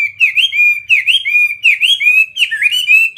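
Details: Caged Chinese hwamei kept as a fighting bird, singing loud, rich whistled phrases that swoop up and down, each slurred note followed quickly by the next in a lively, uneven stream.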